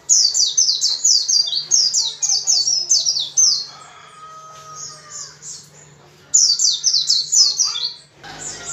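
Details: White-eye sings fast, high, sweet chattering bursts of rapid rising-falling notes, pausing once before resuming, over a faint low hum; the song is played to get captive white-eyes singing.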